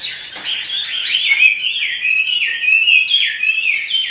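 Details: Chinese hwamei singing "gacor" while dancing in captivity: quick, loud, repeated whistled phrases, each sliding down then rising sharply, about four notes a second, strong and steady throughout.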